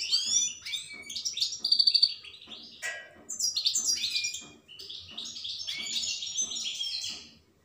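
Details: European goldfinch in full song, a long fluent stream of tinkling twitters, a brief dry buzzing trill and sweet high notes running on for several seconds.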